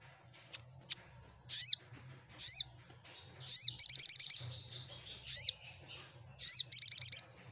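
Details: Sunbird song aimed at making other birds reply: single sharp falling chirps repeated roughly once a second, twice breaking into rapid high trills.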